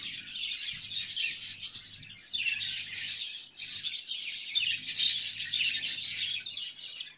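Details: Budgerigars give bouts of dense high warbling chatter, each lasting about one to two seconds, separated by brief pauses, over a soft low hum.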